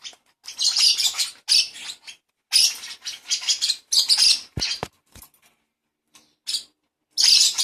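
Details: Hand-fed lovebird chick calls in rough, buzzy, high-pitched bursts that come in quick runs, with a few sharp clicks midway and a gap before one last raspy squawk.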